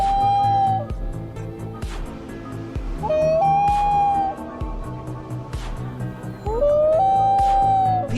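A loon gives three long, mournful wails, each sliding up and then holding a steady note for about a second. A low music bed plays underneath.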